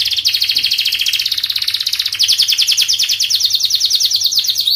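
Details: Long, fast canary song meant as a lure to get young canaries singing. The trill rolls on without a break, high and rapid, with rhythmic pulsing notes repeated several times per second and a shift in texture midway.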